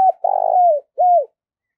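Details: Decoy spotted dove calling to lure rival doves, giving a long vibrating burry coo that slides down, followed after a gap by a smooth arched coo, in quiet surroundings.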